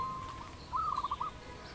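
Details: A single quick trilled phrase from a wild dove in Cambodia, 22 April 2020: a slightly rising note that breaks into rapid stuttering pulses, over a soft rural background.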